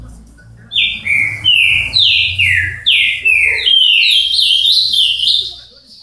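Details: Ultramarine grosbeak in Paraná singing after a quiet start: a quick series of sweet whistled notes, each falling in pitch, roughly two to three per second, ending in a softer twittering tail.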